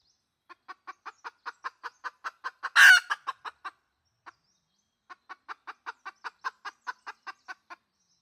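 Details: Decoy red junglefowl hen used to lure wild junglefowl: a quick run of evenly spaced clucks, about five per second. A loud harsh burst comes near the middle, then a brief pause before another long cluck series.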